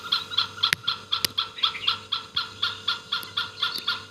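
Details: Great hornbill, known in Assamese as dhanesh sorai, in Assam: harsh barking notes repeated about four times a second in a steady run, with a couple of sharp clicks.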